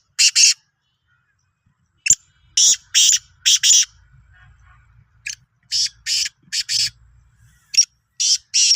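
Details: Sindhi black francolin dated 16 March 2023, repeating rasping, buzzy phrases of three to four notes over faint low background rumble.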